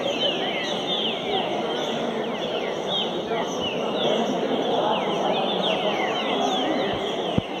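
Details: Several captive green-winged saltators sing at once in a "roda" style for training, their clear whistled phrases overlapping in a dense chorus over a steady low murmur like distant voices.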